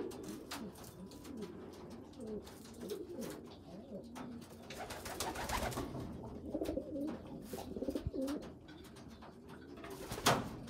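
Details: A small, weak young pigeon feeding stronger pigeon youngsters; low wavering squeaks rise and fall in quick runs, with wing flutter and scuffling throughout, and a man speaks briefly at the end.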